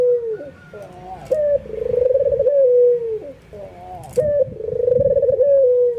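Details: Worked-up white albino ringneck dove cooing and nodding, encouraging other doves to join; two cycles of quiet lead-in notes, a sharp accented note, and a long tremulous coo that eases downward.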